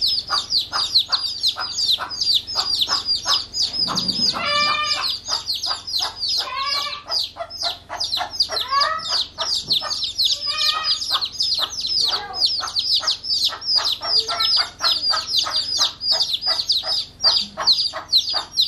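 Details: A mother hen gives repeated clucking calls from upstairs, calling her one-day-old chicks, which answer with a dense chorus of shrill peeping as they try to reach her.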